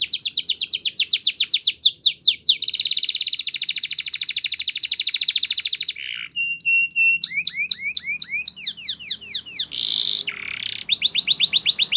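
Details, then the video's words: Spanish Timbrado canary song used for training: loud, fast descending sweeps, a long rapid rolling trill, metallic clipped notes, then rising and falling slurred notes and another quick trill, all high-pitched and varied. "Canary's Most Powerful Song For Training"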